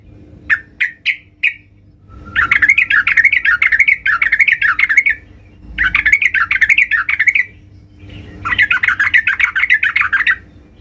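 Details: Yellow-vented bulbul female calling the male: a few isolated chirps, then three long bouts of rapid, wavering chatter, each about two to three seconds, with brief pauses between them.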